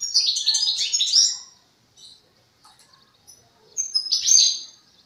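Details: Young European goldfinch in the song-forming stage, practising its song: bright, high twittering bursts with tinkling notes, a dense first phrase over about a second, scattered soft chips, then a second lively burst near the end.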